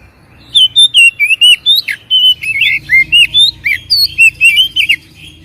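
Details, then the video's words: Oriental magpie-robin lure song intended to trigger a reply: a continuous, rapid stream of varied whistles, twisting slurs and sharp chips for about five seconds over faint low hum. "PANCINGAN BURUNG KACER MALAS BUNYI DIJAMIN NYAUT"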